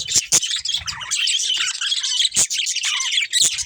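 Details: Pair of breeding budgerigars chattering loudly and steadily, with high squeaky warbles and a few sharp clicks or taps cutting through.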